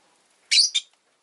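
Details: Rosy-faced lovebird kept as a pet, uttering a loud, shrill two-part chirp: a rasping high note followed quickly by a shorter second squeak, in a quiet setting.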